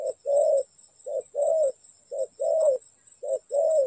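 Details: Spotted dove used in trapping, giving four rhythmic low coo phrases, each a short soft note leading into a longer warm croon, spaced about a second apart; a thin constant high hum persists.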